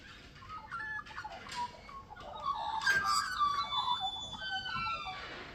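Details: Australian magpie in Victoria, Australia, perched atop a tree branch in the countryside, carols in rich, fluting and gurgling phrases that warble up and down, with a faint hiss of background noise.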